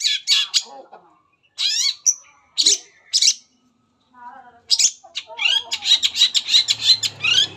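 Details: Long-tailed shrike singing varied material as a lure for other shrikes: separate harsh bursts and a sharp whistle, then a quickening string of squawky notes with thin high tones on top.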